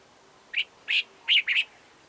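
Cape Bulbul giving four short, bright chirping notes over about a second, the last two run close together, with a quiet background.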